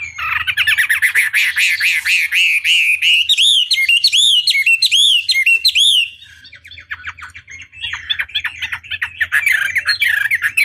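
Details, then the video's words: Chinese hwamei master lure song for rousing opponents to respond: long loud series of wavering whistled notes, then evenly repeated looping phrases, a quieter pause, and resumed rapid warbling. "Pancingan Masteran Wambi Durasi Panjang Efektif Pancing Lwan Agar Nyaut Emosi Gacor"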